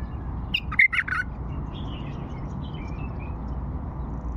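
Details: Bulbul of the old Fawi style singing its prized phrases: a quick burst of four or five bright, slurred whistled notes lasting about three quarters of a second, followed by soft faint notes over steady low background hum.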